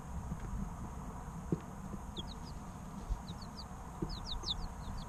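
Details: Baby chickens about three weeks old give short clusters of thin, high, descending peeps, spaced by brief pauses, with a faint low hum and soft knocks behind.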